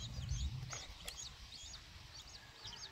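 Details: Six-day-old long-tailed shrike chicks beg while being hand-fed, giving thin, high squeaky chirps about every half second over low rustling and handling noise.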